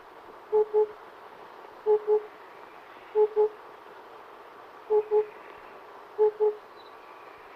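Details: Oriental cuckoo calling: low hollow paired hoots, po-po, the two notes close together and each pair repeated about every one to one and a half seconds, against a soft steady background hiss.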